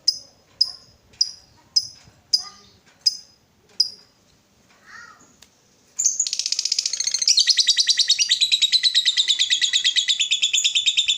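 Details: Lovebird bait song, meant to stimulate other lovebirds into ngekek. Seven sharp, evenly spaced high chirps open, then a loud, long ngekek chatter of rapid buzzy pulses runs about three per second.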